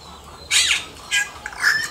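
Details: Yellow-rumped cacique (xexéu) singing in the wild: two harsh, broadband squawking bursts about half a second apart, each with a falling sweep, then a shorter rising note, over quiet background hiss.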